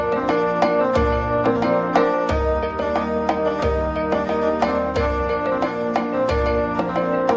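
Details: Rhythmic instrumental music with plucked notes and a thudding beat, no animal sound present.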